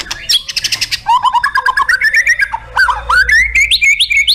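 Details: Murai batu, the white-rumped shama, delivering loud varied contest song: rapid chattering bursts, then runs of quick rising whistled notes climbing in pitch, densely packed and energetic.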